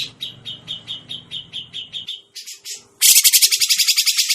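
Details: Grey-cheeked bulbul for bird trapping: a series of clear, evenly spaced mid-pitched chirps about four per second, a few hissy notes, then an abrupt loud burst of harsh fast chatter.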